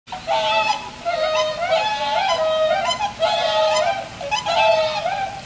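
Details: Four swans at Inokashira Park's aquatic zoo, Japan, calling around 4 pm on 22 November 2016, taking turns in pairs while raising and lowering necks; loud nasal trumpeting notes rising and falling in overlapping bursts.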